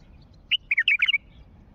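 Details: Wild bulbul from Mandali calling: a quick burst of about six bright, chirpy notes packed into under a second, slightly rising and falling, over a quiet low background hum.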